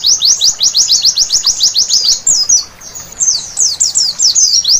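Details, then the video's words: White-eye (pleci) singing at night, in a recording meant to spur birds into full song: rapid runs of high, downslurred notes repeated several times a second, breaking midway into a jumbled twitter before the fast series resumes. "Terapi Pleci Malam Hari Bikin Gacor seketika!!!"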